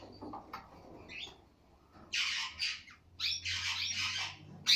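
Cockatiel giving harsh, broadband screeching calls in bursts of under a second, several in quick succession, after a few softer chirps.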